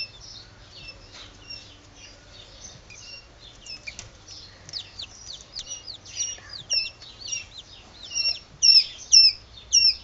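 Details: Common quail chicks newly hatching in an incubator, giving high thin peeping calls, rapid and overlapping, growing louder and sharper toward the end, about two per second.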